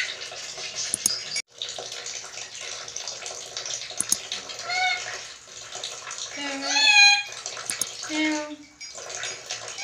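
A lory gives a few drawn-out, meow-like wavering calls in imitation of a cat, over a steady hiss like running water.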